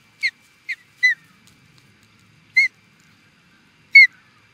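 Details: Osprey at Charlo, Montana, USA, reacting to an intruder: five short, sharp, downslurred whistled chirps, spaced irregularly over four seconds, against a faint steady high hum.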